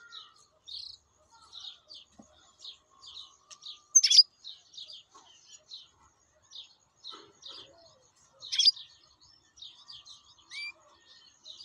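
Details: Wild European goldfinch singing: scattered short twittering and tinkling notes, high and liquid, with two louder bright bursts and a brief upward whistle near the end, separated by quiet gaps.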